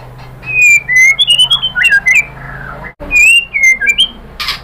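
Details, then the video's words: Song of a white-rumped shama: clear drawn-out whistles and rising slurs mixed with sharp clicks, two bursts separated by a short gap, with a faint low hum throughout. "KICAUAN MURAI BATU"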